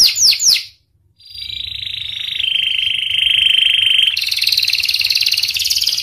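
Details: Vigorous panda canary song: three quick falling whistles and a pause, then a long, smooth, buzzy rolling tone that steps down slightly in pitch. It switches abruptly to a higher, brighter, fast trill.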